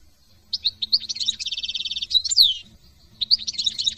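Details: Song of a European goldfinch, France: chattering high twitters lead into a long, even buzzy trill, a sharp downward-sweeping whistle, then renewed liquid twittering after a short gap.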